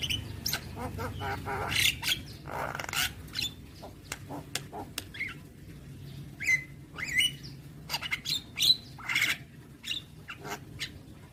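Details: Javan myna in continuous full-fill song, opening with rapid clicking rattles, then scattered harsh notes and sharp upslurred whistles in the second half, over a faint low background hum.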